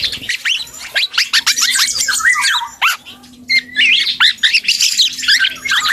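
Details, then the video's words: Young black-and-yellow oriole learning to sing, a rambling run of rapid slurred notes, sweeping up and down between mid and high pitch, broken by a short pause near the middle, with a faint low steady hum beneath. "KEPODANG HUTANG muda||belajar ngoceh"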